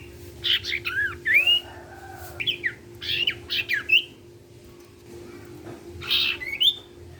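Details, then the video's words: Gacor sirtu bird, played so other sirtu birds will sing along; repeated groups of squawky notes and upturned whistles in clusters, separated by short pauses, over a steady hum. "SIRTU CIPOW GACOR BIKIN SIRTU BAHAN IKUT BUNYI."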